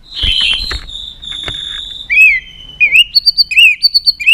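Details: Contest-style song of a White-rumped shama, played to excite rival birds into singing; a noisy buzzy stretch leads into clear, rising whistled notes and fast paired chips repeated in short bursts.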